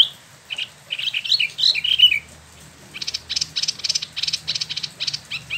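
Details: Spot-throated Babbler kept a year in a cage in Bandung gives a jumble of mixed whistled notes, then a rapid, evenly spaced series of harsh, rasping notes.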